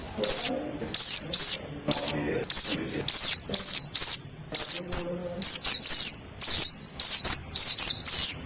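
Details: Wild white-eye heard in a training recording meant to get captive birds singing: bright, high whistled notes, each swooping downward, repeated almost twice a second in a steady series with faint low background noise.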